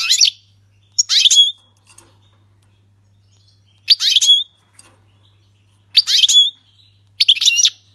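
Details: Syrian goldfinch singing the song style called 'king's language', delivered without faults: short bright twittering bursts of about half a second, rising and buzzy, spaced by pauses of one to two seconds, over a faint low hum.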